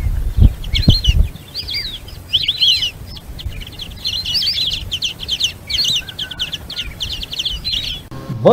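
White-faced Whistling Ducks give a steady stream of clear, high, three-part whistles, rising and falling, several birds overlapping. A few dull thumps come at the start.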